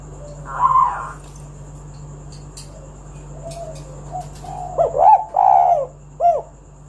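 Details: Spotted dove song used to lure other doves into singing. An early muffled coo and faint soft notes lead to a louder closing sequence of short rising notes and a throaty coo, over a low hum.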